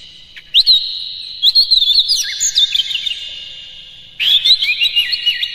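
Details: Oriental magpie-robin singing, played to provoke caged magpie-robins into fighting song: loud, rich whistled phrases with quick slurred notes and trills over a steady high ringing tone, two main bursts separated by a quieter pause.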